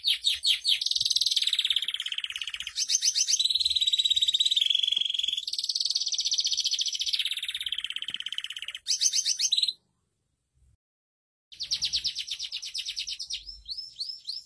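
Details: Masteran canary song meant to teach other canaries: long stretches of rapid rolling trills switching between pulsed and smooth sections, a one-second silent pause, then the trilling resumes.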